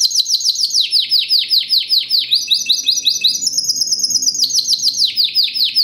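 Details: Classic-style Timbrado Español canary from 2013, a fast, metallic, strong singer. It gives a series of rapid down-swept notes, about two per second, then changes to a higher, steady trill before the sweeping notes return.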